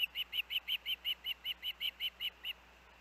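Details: Young osprey at the Hellgate nest in late August 2024: thirteen clipped, piping chirps in an even rhythm, each short and high, fading out after two and a half seconds above a faint background hum.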